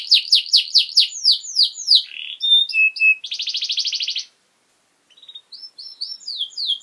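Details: ['Canary song used as a master recording for training young birds, delivered in a lively, long-lasting style: fast rows of downslurred trilled notes, then buzzy low tours and a steady rattling roll, a brief pause, then rising whistled phrases.']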